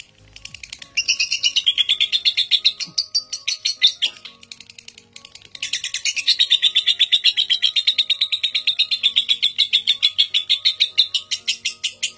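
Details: Long ngekek trill of a record-breaking Indonesian lovebird kept as a training master for young birds: fast chattering pulses, with a brief break around four seconds before the rattling stream resumes, soft rhythmic music underneath.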